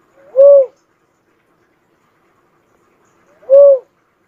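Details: Two brief, rounded cuckoo-dove hoots roughly three seconds apart, each quickly rising and falling in a low arched tone, with silence between them.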